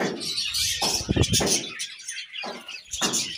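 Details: Several budgies playing in a cool leafy bath on a hot day, mixing shrill chirps and warbling chatter with loud bursts of rustling and splashing leaves.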